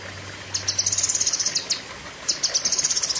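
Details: Lesser green leafbird (cucak kinoi) with two quick runs of thin, high, staccato chips, the first about a second and a half long, sung as sharp 'tembakan' in the 'pedes panjang' style; faint low hum underneath.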